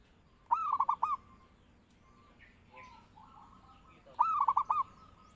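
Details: Zebra dove singing as a master call to lure or train birds, giving two bursts of four or five quick rolling coos, the phrases spaced roughly three and a half seconds apart, with faint other bird calls between.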